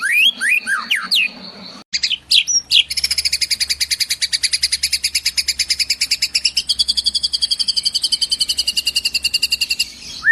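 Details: Song of a white-rumped shama that copies sparrows and kingfishers: a few swooping whistles, then about seven seconds of rapid, evenly repeated chirping notes, ending with one falling whistle.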